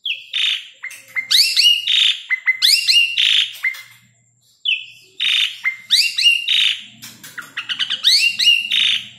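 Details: Asian pied starling singing two lively bouts of clear upslurred whistles mixed with harsh chattering notes, about three phrases a second, with a short pause between bouts; used as a lure to stimulate or attract starlings.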